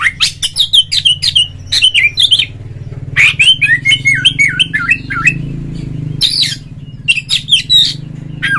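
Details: Oriental magpie-robin, a lure recording meant to provoke a rival so a kept bird sings fully and fans its tail: loud varied whistled phrases with quick rising and falling notes in bursts, over a steady low engine-like hum.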